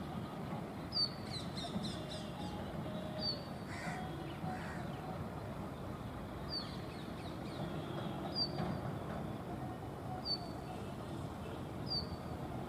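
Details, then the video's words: Brown rock chat at Tibbi, Hanumangarh, Rajasthan, India, in 2019, calling continuously while dancing: thin, high, down-slurred notes about every one and a half seconds over steady broadband background noise. "Indian Rock chat 2।। Indian Birds videos।। calling and dancing at Tibbi Hanumangarh 2019"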